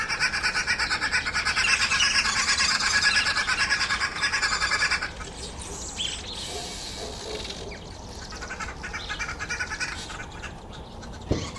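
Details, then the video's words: A group of Red-billed (Green) Wood Hoopoes gives a loud, harsh cackling chorus of rapid chattering "laughing" notes for about five seconds, then quieter scattered calls with faint rustling. "Redbilled Wood Hoopoe"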